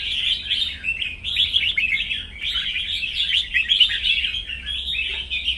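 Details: Morning singing contest with birds in the sun, unbroken busy warbling and chattering of high, tightly packed notes, many phrases overlapping with no clear pauses.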